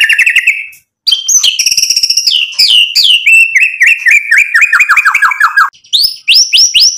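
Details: White-rumped shama in full song, rich in imitated phrases, used to provoke rival birds into answering: a rapid, loud run of varied whistles, trills and slurred notes, some rising sharply, others falling, with two brief pauses.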